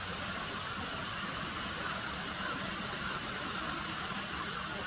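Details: Shrill short whistles of a common kingfisher, spaced unevenly, with a brief cluster of rapid notes near the middle, then scattered single calls over a soft hissing background.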